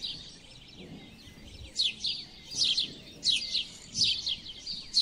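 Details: House sparrow (Passer domesticus) chirping: bright, sharp cheeps in quick bursts about every second, possibly several birds overlapping, over a faint low background hum.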